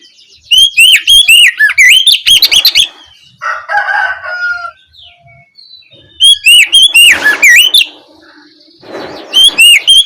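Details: Oriental magpie-robin singing in the evening, played as a lure to prompt other birds to reply: bursts of loud, sweeping whistles and sharp chirps, repeated in three outbursts, with softer warbling and rustling between them.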